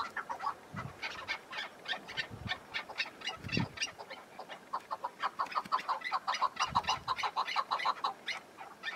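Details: Wild chukar partridge in spring mountains patched with snow, in some wind, gives rapid, repeated clucking chuk notes in an uneven rolling series, with a few low thumps in the background.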